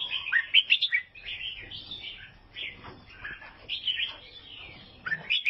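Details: Albino sooty-headed bulbul from Vietnam singing: quick bright chirps and short whistled, slurred phrases, with loud bursts near the start and again at the end and softer chatter in between.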